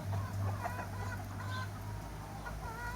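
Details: Chickens and roosters in summer giving soft drawn-out tonal calls and scattered clucks, with a strong low droning hum throughout.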